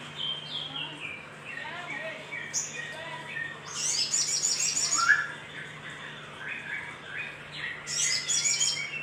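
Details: Little spiderhunter lure call to stimulate other birds: varied descending whistles and sharp chips, with two fast high rattling trills, over a faint steady low hum.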